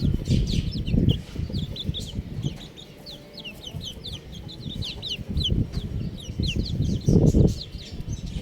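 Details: Buff chicks chirp busily, many overlapping high-pitched peeps in quick irregular runs of falling slurs. Loud low thuds come at the start and near the end.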